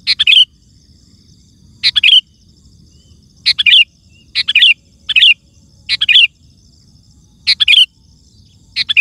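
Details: Loud, lively sooty-headed bulbul song for calling wild birds and prompting others to answer: nine sharp bubbly phrases of rapid whistled notes, irregularly spaced, sometimes two close together, over faint background noise.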